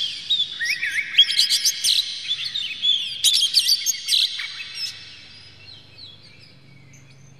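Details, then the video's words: An Oriental magpie-robin (kacer) sings a rapid, varied run of bright whistles, slurred notes and chirps for about five seconds, then fades to near quiet. It is used as a lure recording to provoke other magpie-robins into tail-spreading and full singing. "dijamin kacer langsung ngamuk2 dengar kacer ini bongkar emosi buka ekor ngobra full isian"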